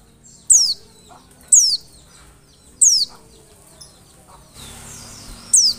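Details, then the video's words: High, thin downward-sliding notes of an Oriental white-eye, used as a lure to provoke replies, given four times at roughly one-second intervals, with a patch of background hiss near the end. "PANCINGAN PLECI"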